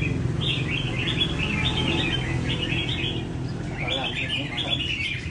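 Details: Tamed red-whiskered bulbuls at a bird cafe singing 'chạy cầu' phrase runs during training, in an even, leisurely rhythm. Bright warbled phrases rise and fall in quick succession, with a low steady background hum and faint voices.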